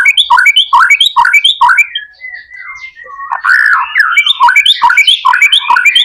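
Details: White-rumped shama (murai batu) pouring out 'gacor' song as a lure for other shamas: a run of sharp repeated notes, then a long smooth slurred whistle, then more quick varied chattering phrases.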